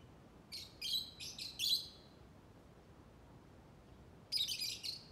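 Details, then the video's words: Chirping lovebird: a quick burst of four harsh, shrill chirps, then a pause of about two seconds, then another rapid run of scratchy, high chirps. The room is otherwise quiet. "Burung Labet LoveBird Berkicau Ngoceh"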